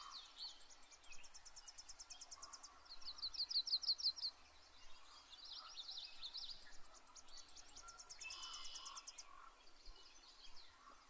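Yellow-rumped Warbler giving high, rapid, sweet trills in phrases of one to two seconds, with softer chirps and twittering from other birds between them.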